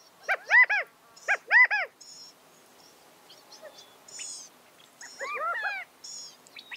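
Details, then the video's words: California quail calling: loud arched, harmonic notes that rise then fall, given in close pairs and triplets, with a pause between bursts and fainter high chirps from other birds in between. "California Quail | کیلیفورنیا بٹیر | Qauil Sounds"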